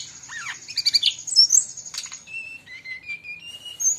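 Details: Brown-chested jungle flycatcher from Bali singing busily, mixed with other birds' voices and used as a tutor recording for cage birds: a low curving swoop, then chattering notes and thin level whistles at varied pitches, over a steady high whine.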